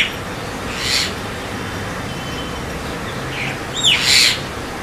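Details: Javan myna giving a single harsh, breathy burst, a pause, then a short falling whistle that merges into another rough, grating note, with steady hiss behind.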